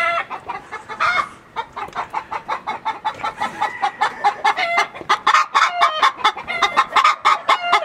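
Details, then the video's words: On a farm, a hen, which the owner suspects is "Çilli", cackles loudly after laying: a rapid run of harsh repeated clucks, several per second, rising into emphatic squawks, with other chickens nearby. "Arkadan tavuk sesi geliyor. Biri yumurta saldı. Hem de yerini belli etti. Bak şimdi."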